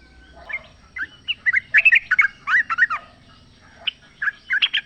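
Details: Sooty-headed bulbul song from the wild, meant to provoke a caged bird into answering: lively chattering phrases of jumbled, bubbling notes in two main bursts separated by a short gap.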